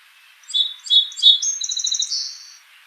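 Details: Two Song Sparrows, one close and one far away, sing a few bright, separate notes, then a rapid run of trilled notes.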